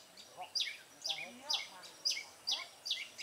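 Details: Red-whiskered bulbul kept as a decoy bird for trapping, recorded 21 September 2018: sharp, high chirps sweeping steeply downward, repeated about twice a second in an even series, over light background noise.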